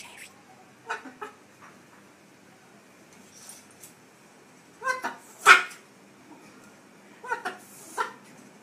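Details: Parrot swearing: short clusters of voice-like, harmonic syllables at about one, five, seven and eight seconds, the loudest a strong burst midway, separated by quiet room background.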